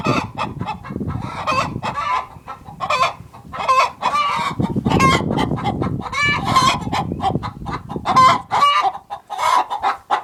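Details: Many hens clucking together inside a productive hen house, overlapping bursts of cackling and squawking with a rumbling low background noise throughout.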